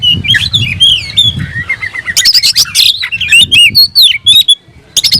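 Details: Oriental magpie-robin singing loudly, tail spread, to provoke a rival: a wavering whistled phrase, then a fast volley of sharp chips and looping high whistles, with a faint low hum behind.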